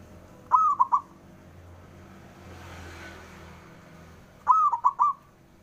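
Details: Local male zebra dove challenging rivals to reply, giving two phrases about four seconds apart: a drawn-out wavering coo followed by three quick short coos, with faint rumbling in between.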